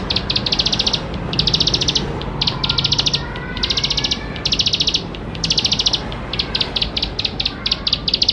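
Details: Bar-winged prinia (ciblek sawah) in rich, lively song, played to get young birds singing: repeated blocks of fast, high buzzy ticking, each under a second long, with short breaks between.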